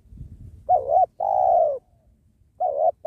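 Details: Spotted dove (tekukur) used to lure wild doves near a sacred tree. One full two-part coo, a short trembling note then a long falling purr, is followed by the start of another, over light low-pitched background noise.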